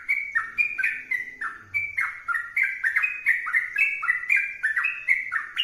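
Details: Sooty-headed bulbul singing 'gacor' style: rapid chains of clear, mellow whistles that leap and drop in pitch, delivered almost nonstop at about four notes a second, with a faint low murmur briefly underneath early on.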